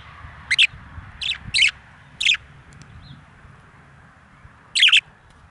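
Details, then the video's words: Four male budgerigars kept outside: short, sharp, scratchy chirps in small bursts, some doubled, spaced irregularly over a few seconds, with a low steady background hum. "Four Male Budgies/Parakeets Outside"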